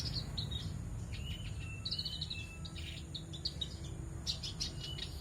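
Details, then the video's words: Actively singing male black-browed reed warblers held together in a group cage give bright, fast chirps and short high trills in busy bursts against a constant low background rumble. "Kerak basi alis hitam jantan ombyokan gacor"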